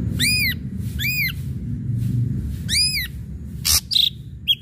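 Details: Ashy drongo singing to provoke other birds to sing: three loud arched whistles, each rising then falling, about a second apart, ending with a rasping burst and short clipped notes.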